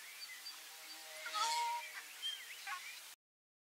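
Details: Ruddy shelduck gives one nasal, honking note lasting about half a second, with a few thin, higher chirps and whistles from other birds before the sound cuts off.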